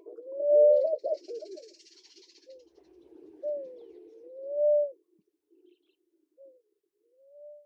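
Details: A Namaqua dove (Oena capensis) in Kenya gives soft, low, hollow coos: long drawn notes that swell and bend slightly upward, then fainter coos trailing off. A brief high hiss sounds early on.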